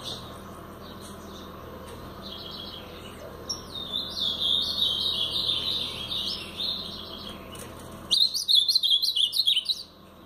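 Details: Paraná song of a brown Blue-black grosbeak. A long, softer warbled run of high, wavering notes is followed after a pause by a louder, clipped burst of rapid rising and falling chirps near the end.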